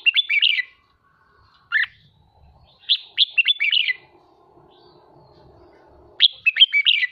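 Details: Caged red-whiskered bulbul being trained into excited 'hót ché' singing: short bursts of bright, rapid warbled notes in clustered phrases, with pauses between and a faint low hum in the background.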